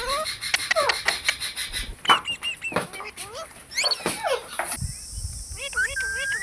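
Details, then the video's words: Several green parrots calling in bursts of sharp rising squeaks and screechy notes, then a quieter run of wavering, warbling harmonic calls repeated in a regular pattern. "Beautiful Green Parrots Talking | Funny Parrot Sounds"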